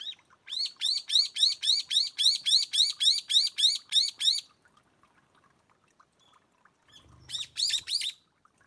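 A brown-eared bulbul gives a fast run of about twelve shrill, arching squeals, roughly three per second, then a shorter burst of the same after a pause.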